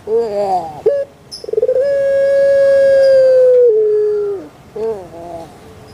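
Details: Kept puter pelung dove from Java, Indonesia, whose call is rendered as kuk gerukkk kwokkk; a short rising and falling note, then a very long, steady, resonant held tone of about two and a half seconds that sinks at the end, followed by another short note.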